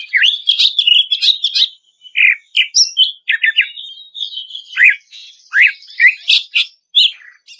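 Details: Professionally processed lure recording of greater green leafbird ngplong song with long notes and sharp bursts, used to prompt stressed birds to sing: fast jumbled chirps, rising whistles and harsh notes in bursts, brief gaps between phrases.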